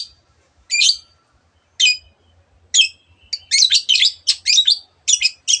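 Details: Spaced harsh, scratchy notes from a long-tailed shrike, about one a second at first, then speeding into a dense run of buzzy chatter and sharp chirps mimicking other birds.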